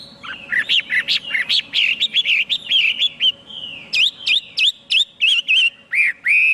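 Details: Chinese hwamei song: fast series of bright whistled and slurred notes, a short smooth glide near the middle, then evenly spaced looping whistles repeated about three per second.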